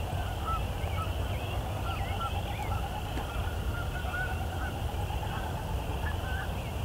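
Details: A large number of Canada geese honking at sunset in the evening chorus, recorded live: overlapping nasal honks from a distant flock come steadily throughout, over heavy low background rumble.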